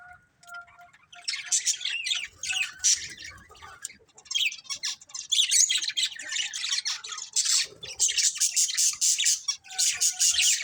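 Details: Colourful pet budgerigars, a family of several birds, produce steady, dense, high-pitched warbling chatter of quick scratchy chirps and squeaks that builds and stays loud throughout.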